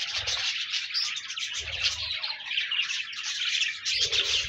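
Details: Pet budgies chatter in a bright, dense chorus of high chirps, squawky notes and rapid warbles, with a few soft low thuds; played to prompt a lonely budgie to sing.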